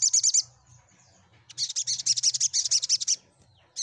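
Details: Sunbird song for provoking other sunbirds to sing; a short high trill, a pause, then a long, fast run of repeated sharp high notes lasting over a second and a half.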